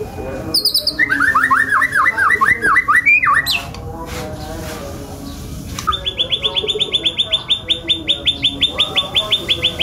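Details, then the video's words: White-rumped shama giving a varied song: a burst of looping swooping whistles, a pause, then a long rapid series of identical high clipped notes repeated several times a second. "Burung Murai Batu F5 Isian Kasaran"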